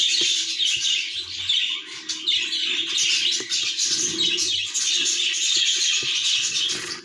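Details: Budgerigar chick on its last day of weaning gives a steady stream of high, scratchy chirps and chattering squawks, with a faint low hum in the background.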